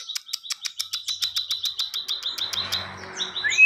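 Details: Ciwah singing briskly, recorded to train other songbirds: a rapid, even train of high, sharp chirps at one pitch, ending in a faint hiss and a short, rising whistle.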